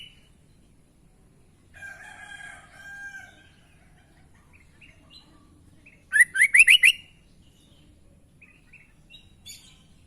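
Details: Sooty-headed bulbul with unusual sounds: a drawn-out buzzy, layered note early on, then a loud burst of five rapid upward-sliding whistles, with scattered thin chirps around them and long quiet gaps.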